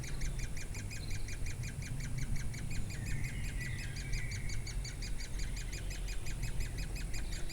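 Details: Woodpeckers feeding their chicks in Durmitor National Park, Montenegro, on 6 June 2017: a continuous, rapid series of short, evenly repeated chirping notes with a brief higher trill midway, over steady low rumble.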